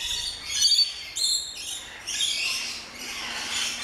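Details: Rainbow lorikeets, many small parrots together in an aviary at an orchid farm in Luttelgeest, Netherlands, calling with piercing screeches and squealing notes in uneven bursts, a faint low hum beneath.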